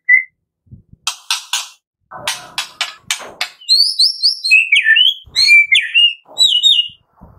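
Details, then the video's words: Morning-to-afternoon white-rumped shama lure song for prompting singing: a run of harsh rasping bursts, then high rippling notes and slurred falling whistles in short phrases. "Pancingan Murai Batu Pagi - Sore Hari 99,8% AMPUH buat pancingan murai batu pastol agar bunyi"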